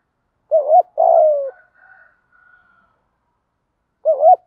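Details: Spotted dove coo used to stimulate a newly caught decoy bird into cooing: a short wavering low note and then a longer note sliding downward, repeated after a pause, with faint higher whistled tones between.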